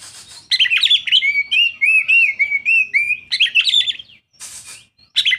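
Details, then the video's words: Loud, varied song of a young Oriental magpie-robin: a long run of bright whistled slurs and rapid warbles, with harsh, noisy bursts at the start and near the end. "denger suara kacer muda"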